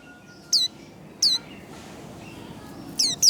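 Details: White-eye in líu đấu singing, used to excite and train singers: three sharp, high, downward-slurred whistled notes spaced by pauses of about a second, with faint twittering in between.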